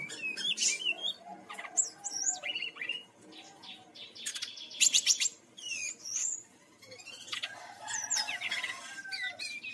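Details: Brown-chested jungle flycatcher from Bali, singing as a lure to prompt other birds to sing: a rapid, varied medley of slurred whistles rising and falling, buzzy notes and sharp clicks, delivered in dense bursts with short pauses.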